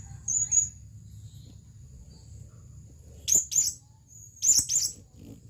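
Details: Male blue-crowned hanging parrot calling for a female, giving a brief thin high whistle early on, then two separated pairs of sharp, shrill, very high-pitched notes over a faint low background hum.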